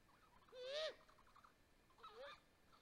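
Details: Great grey owl at a nest in Mission Valley on 12 May 2020, while the male brought prey, gives two hoarse, upslurred wailing calls about one and a half seconds apart, the second softer, over a faint steady hiss.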